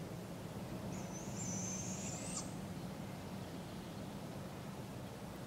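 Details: In Polk County, Iowa, July 6, 2017, a young barred owl begs from its parents in a local park: one long, hoarse, rising screech of about one and a half seconds, then quiet background.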